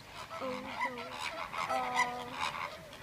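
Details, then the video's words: Captive Chilean flamingos at Prague zoo giving nasal, goose-like honks, several overlapping harmonic calls repeated throughout, with faint human voices in the background. "Prague zoo animals - Chilean flamingo"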